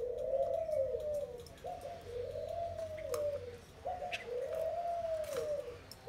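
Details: Caged spotted dove, wild-caught and kept twelve days, repeats a soft, low coo phrase three times. Each is a short lead-in note followed by a long, gently arched hoot, with faint clicks and chirps behind.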